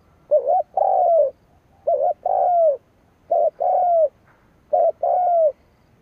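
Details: Spotted dove decoy bird cooing to provoke rivals: four two-part phrases, a short hooked note then a longer falling coo, repeated roughly every one and a half seconds, low and mellow, with no other sounds.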